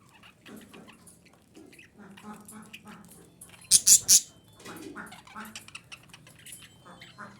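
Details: Female budgerigar sound meant to bring on breeding: soft, rapid warbling of nasal harmonic notes, broken by a quick run of three loud shrill squeaks.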